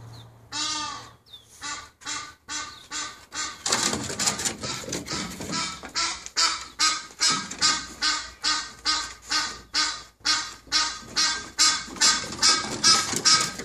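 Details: An unseen Egyptian goose on a chimney above a Boston terrier and a young peacock gives a loud, harsh series of honks, repeated more than twice a second.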